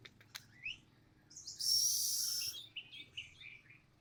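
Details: Orange-headed thrush, a reluctant singer, responding to a lure played to get it singing: a long loud high buzzy whistled phrase, preceded and followed by short rising and falling whistled notes.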